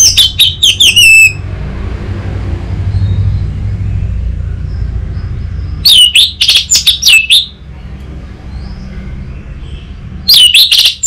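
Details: Untrained orange-headed thrush singing to lure and tutor other birds: three bursts of fast, loud, rich whistled and warbled notes about every four to five seconds, separated by quiet with a low rumble.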